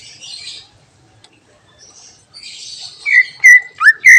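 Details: Greater green leafbird (cucak ijo) singing a full 'isian' fill-in song meant to rouse other birds: soft, scratchy chatter at first, then four loud, clear whistled notes, some sliding upward, in quick succession.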